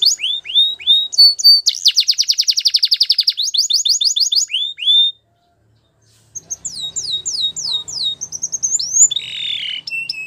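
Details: Belgian canary singing as a training example: bright canary song of rapid trills, repeated rising whistled notes and a fast buzzy roll, broken by a one-second silence midway before more rising notes and rolls resume.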